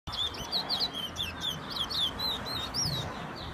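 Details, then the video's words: Chestnut-bellied seed finch, known in Guyana as towa towa, whistling a rapid run of clear, high notes that rise and fall. Short sliding phrases follow one another without pause over a steady background hiss. "Towa Towa bird whistling"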